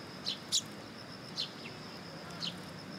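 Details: Morning sparrows gathering to be fed at a Tenmangu shrine on 18 September 2022; a quick pair of bright chirps followed by two more single high tweets, with soft steady background noise.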